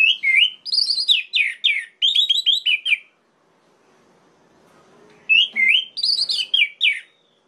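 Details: Orange-headed thrush singing to provoke rival males: loud, rapid series of rich warbled whistles, notes doubled and repeated, a pause of about two seconds, then the same lively phrase returns.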